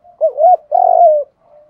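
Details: Spotted dove coo used to train and provoke decoy birds into calling back: a short soft note followed by two mellow, low hooting coos, the second longer and slightly wavering, in a quiet setting.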